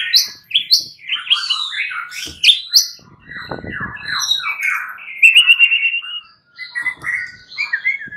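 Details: Fighter white-rumped shamas answer each other and grow agitated, pouring out rich overlapping song: clear whistled notes, quick downslurs, rattling trills and a burst of repeated high notes near the end, several birds singing at once.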